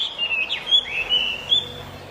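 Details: Short burst of Chinese hwamei song: a few clear whistled slurs, one dropping steeply, then sustained ringing notes, with light background hiss.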